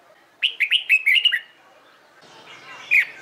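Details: Singing red-whiskered bulbul in competition training gives a rapid run of about seven clear whistled notes in under a second, then a pause with faint background chatter and one more loud whistle near the end.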